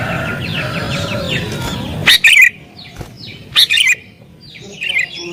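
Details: Agitated sooty-headed bulbul, used as a lure for wild birds: after a stretch of soft background twittering, loud abrupt chirp bursts ring out twice, then a thinner fading phrase.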